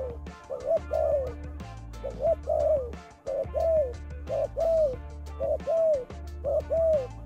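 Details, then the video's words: Spotted dove lure call: a steady run of mellow, hollow coos, each a quick rising note bending into a longer falling one. The phrases come about once a second over a pulsing low background beat. "Dove , terkukur pikat , chim cu gay"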